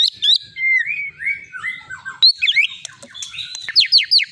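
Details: Caged white-rumped shama, long-tailed Medan type and repeated contest winner, gives drawn-out whistled glides that step downward, then a sharp high note followed by a burst of quick down-slurred whistles.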